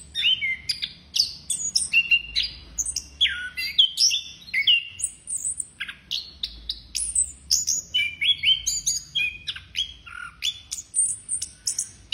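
An orange-headed thrush sings a rich, nonstop stream of varied whistles, slurred notes and sharp chirps, with rapid phrase changes and no other sounds.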